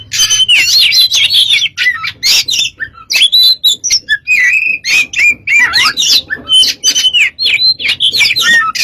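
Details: White-rumped shama singing continuously for a lure recording: busy mix of whistles, chatters and buzzy trills in quick succession, with a faint low hum in the background.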